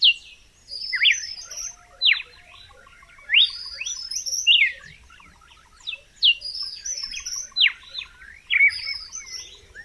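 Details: Red-cowled cardinal song: bright slurred phrases sweeping down from high to mid pitch, each followed by short buzzy notes. The phrases repeat roughly every one to one and a half seconds against a quiet background.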